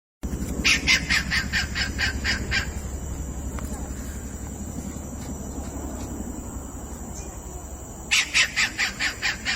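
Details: Kingfisher giving fast rattling bursts of sharp, evenly spaced clicks, one lasting about two seconds and another starting near the end, over a steady low hum and background noise.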